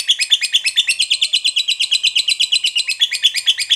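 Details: Lovebird in long ngekek chatter, used as a lure to draw other lovebirds into singing: shrill, strident pulses repeated roughly twice a second in an unbroken run, slightly uneven rhythm.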